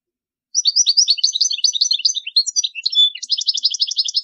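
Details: European goldfinch, recorded in 2020 as teaching song for fledglings: after half a second of silence, a continuous, rapid, high tinkling warble of varied chirps and short trills with no other sounds.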